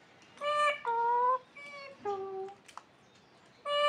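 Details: Pet parakeet, also called mithu or tota, kept indoors, giving clear whistled tonal notes in short bursts: steady level tones, one dropping to a lower pitch, a gap, then a final rising whistle.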